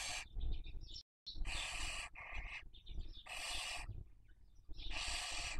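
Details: Barn owl at a webcam nest raising young in Cabañeros National Park, Castilla-La Mancha, Spain, 2023 breeding season; long harsh breathy hisses about a second each repeat four times, with soft chirping notes between them.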